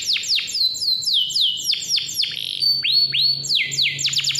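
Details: Caged-style canary song played to prompt young or lazy canaries to sing: dense, rapid series of high falling whistled sweeps, a brief rising slur, then more cascading notes, delivered nonstop with faint background hum.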